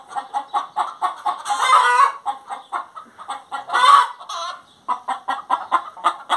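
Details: Singing hen with quick, even clucks, two long, loud, harsh squawks in the middle, then a brief pause before the clucking resumes.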